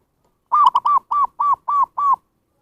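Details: Lure call of a zebra dove for attracting wild birds: seven mellow, arched coo notes in a steady series, quick at the start then regularly paced about every third of a second.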